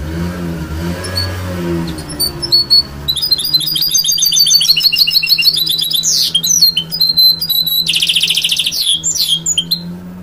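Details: Goldfinch-canary hybrid mule, after a low droning start, launching into a long vigorous song of rapid trills, sweeping buzzy phrases and twitters over a steady low hum.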